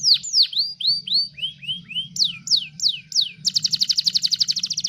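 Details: Canary singing in a master recording meant to teach other cage birds: slurred, descending whistled notes at varying pitches, then a rapid, even, high-pitched trill of repeated notes.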